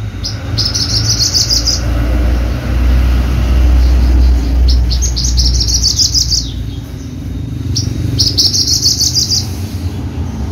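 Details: Horsfield's bushlark, Java type used in song contests, produces short bursts of quick high chirping phrases separated by pauses, against strong low background rumble.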